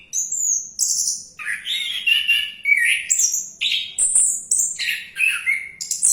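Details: Diving orange-headed thrush continues a rich song: clear sustained whistles alternating with lower buzzy, rattling phrases and sudden high piercing notes, each phrase about half a second long and delivered in a steady stream.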